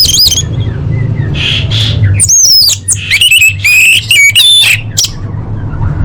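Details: Orange-headed thrush song with full variations: soft whistles, then a series of loud, sharp, slurred whistled phrases separated by short pauses, over a faint low drone.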